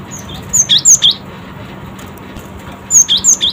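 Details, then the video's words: Cinereous tit, described as quick to respond, giving two bursts of four sharp, high chirped notes in quick succession, separated by a pause of about two seconds, over a faint steady low hum. "Gelatik Batu Respon Cepat 100% Nyaut"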